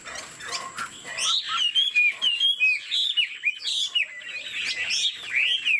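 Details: Chinese Hwamei, a caged 90% pure bird, singing while nodding its head in 'lion dance' fashion: a quiet start, then a steady run of loud, bouncing whistled notes repeated several times a second.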